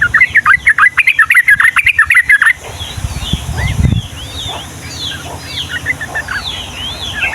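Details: Sooty-headed bulbul (trucukan) giving a lively, long rolling 'ropel' song in the 'ngombak banyu' style, used to tutor and prompt young birds: rapid bubbly mid-pitched notes, about three a second for two seconds, then fainter high sweeping chirps from other birds.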